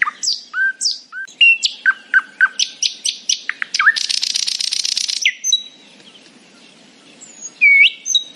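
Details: A nightingale sings happily in the morning, delivering fast repeated whistled notes and sharp upslurs, a loud harsh buzzy rattle for about a second and a half, a quiet gap, then scattered high whistles.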